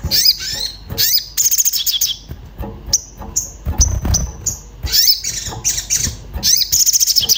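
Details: Restless orange-bellied flowerpecker searching for a mate, a lure for other birds: dense, high twittering runs broken by single thin whistled chips, with low bumping noise in the gap.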